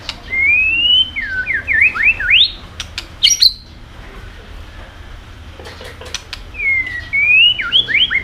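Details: A white-rumped shama sings to spur other birds on: a rising whistle flows into swooping looped phrases, a pause with sharp clicks, then the same rising whistle and swoops return.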